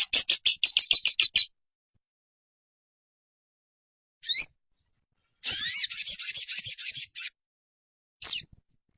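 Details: Ruby-cheeked sunbird (sogon) training song for caged birds. A burst of quick, high stuttering notes, a long pause, a single thin upslurred note, then a dense buzzing high phrase and a final sharp chip.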